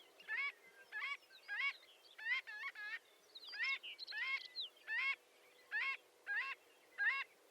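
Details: Marbled godwit giving nasal, harmonic-rich calls, each a short upward-inflected note repeated roughly twice a second in loose series, moderately distant over a faint steady background hiss.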